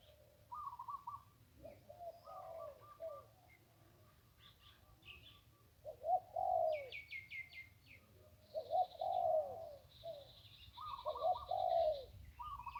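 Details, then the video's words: Riverside zebra dove along the Ping singing in the one-kuk style, with rippling, burry coo phrases in irregular bursts. Other birds chirp and trill higher up, including a quick rattling series. "นกคูอ่างเจ้าเสน่ห์ริมปิง ได้นกโล่ง 1กุกขันเพราะๆ"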